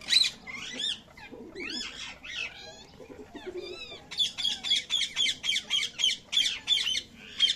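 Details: Baby parrot chicks calling: raspy, harmonic squawks and chirps, first irregular, then a fast regular series of short sharp calls about four per second, with a faint low murmur beneath.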